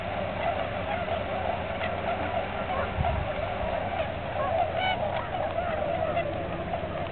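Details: Tundra swans gathered at Aylmer Wildlife Management Area during their annual migration stopover, March 15, 2009: dense, unbroken chorus of soft, honking, bugling calls from many birds, with one louder, clearer call standing out near the end.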